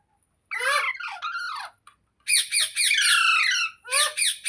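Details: Green parrot (rose-ringed parakeet, called mitthu) kept indoors, talking: harsh, rasping harmonic phrases in two bursts, one around half a second to under two seconds, a longer run from two to four seconds, with speech-like falling and rising inflections.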